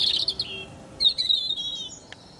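A Eurasian blackcap sings two quick bursts of high, bright, warbled notes with a brief pause between them, against a faint background hush.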